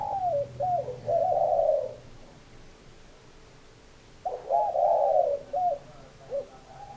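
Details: Spotted dove calling twice: each phrase of short hooked coos runs into a long, buzzy coo, with about two quiet seconds between phrases.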